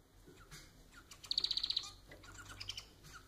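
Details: Caged society finch (Lonchura striata domestica) giving one quick, high, rattling trill of evenly spaced notes lasting about half a second, amid faint background chirps.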